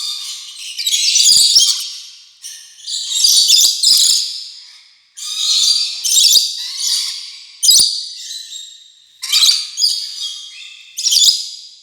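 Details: Rainbow lorikeet chattering: bursts of harsh, high, buzzy screeches in clusters about every two seconds, with brief quiet gaps between bursts.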